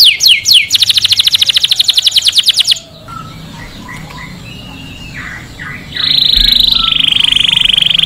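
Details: Singing canary for stimulating males and teaching chicks; quick sweeping notes lead into a fast rattling trill, a softer pause with faint scattered notes, then a loud sustained buzzy trill.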